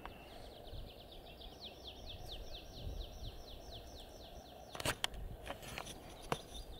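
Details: A pipit sings in May 2020, a fast run of thin, downslurred notes repeated evenly over a low background rumble.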